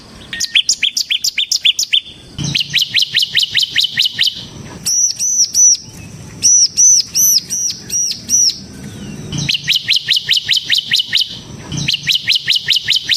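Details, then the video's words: Bar-winged prinia, 'semi' type, in 'ngebren' song used as a lure and tutor for training birds: varied phrases of rapid high chips, with a middle stretch of ringing, arched whistled notes repeated several times. "suara burung CIBLEK SEMI GACOR Ngebren"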